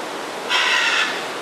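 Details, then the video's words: A Scarlet Macaw in Corcovado National Park, Costa Rica, gives one harsh, grating squawk about half a second long, loud and raspy, over a faint steady hiss. "Scarlet Macaw"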